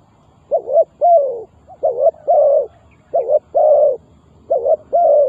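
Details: Spotted dove calling, used to lure wild doves for trapping: loud, mellow cooing in repeated groups, each a short note followed by a longer, drawn-out coo, about every second, with a faint background hum.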